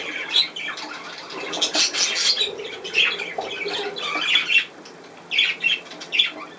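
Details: Pet budgerigar recorded indoors on 27 August 2024 during play, giving bursts of harsh, scratchy squawks and chattering notes, with short pauses between groups and a quieter gap near the end.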